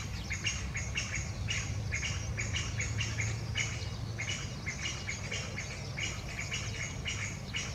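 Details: A Chinese bamboo partridge gives an unusual ground call: a run of short, harsh chirping notes, about two a second, over a steady low rumble.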